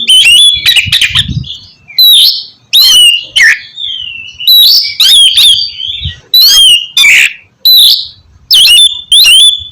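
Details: Oriental magpie-robin in the loud 'ngeplong' song style, played as therapy to get lazy or silent magpie-robins singing: about ten loud, strident phrases of sliding whistled and buzzy notes, separated by short gaps.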